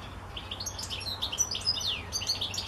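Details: European goldfinch delivering a quick, tinkling twitter of varied high notes, mixing short chips, buzzy trills and sliding whistles in a continuous jumble, with a faint low hum underneath.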